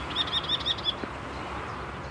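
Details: A great reed warbler at Spengen on 27 May 2014 gives a quick run of five harsh, high notes, about six a second, then stops. Faint background hiss follows.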